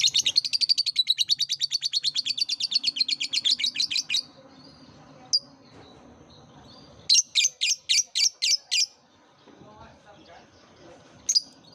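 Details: Lovebird chattering, used as a lure to prompt young lovebirds just learning to sing: a fast run of shrill chirps for four seconds, a lone note, then a burst of seven sharp chirps, over a low voice murmuring.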